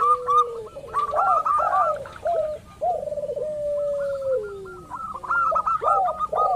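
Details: Local zebra dove used to provoke other doves into calling: looping, warbled coos and short rising-falling phrases alternate with a long steady note sliding downward, with higher clipped note runs at the edges.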